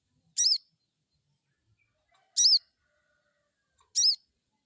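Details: Crested jay crecet call, used as a lure to stimulate other birds to answer: three short, harsh, high chirping notes, each about a quarter second long, spaced nearly two seconds apart against a silent background.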